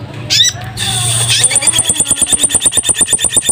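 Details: A caged kolin in high breeding condition chatters to itself behind the speaker on a drizzly afternoon: scratchy notes, a man's voice, then rapid buzzy chattering at about eight notes a second.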